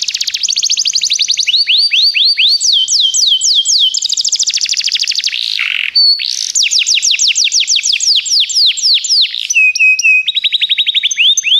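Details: Canary in full song for training: continuous rapid trills, each phrase a different series of quick falling notes, with brief whistled and buzzy breaks between tours, loud throughout.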